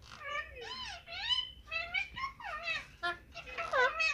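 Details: Indian ringneck parakeet talking on a mobile phone: a rapid run of high, swooping, meow-like speech syllables that rise and fall, closely spaced over four seconds.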